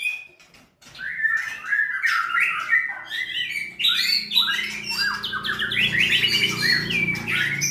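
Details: White-rumped shama, a contest bird at a breeding farm in Plupuh, Sragen, delivering a loud, busy song of rapid whistled slurs and chattering notes after a brief quiet opening, over a steady low indoor hum.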